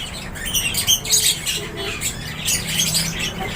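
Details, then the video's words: In an aviary, lovebirds let out bursts of shrill squawks and quick rising chirps, loud clustered notes from several birds against a faint low hum. "LOVEBIRDS CHIRPING SOUNDS"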